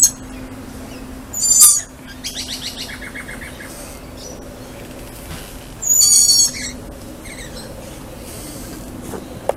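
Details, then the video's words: Lorikeets greeting a person outdoors: two loud harsh screeches several seconds apart with softer chattering calls between them, over a steady low mechanical hum. "Lorikeets Saying Hi"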